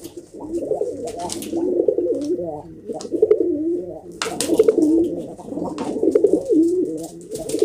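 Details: Several domestic pigeons cooing indoors, steady low rolling and bubbling coos overlapping throughout, with a few sharp clatters.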